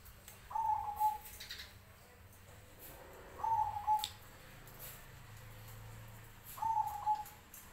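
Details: Zebra dove of the black Cemani variety, answering neighbouring doves with brief, purring, trilled coos delivered about every three seconds against a soft hum.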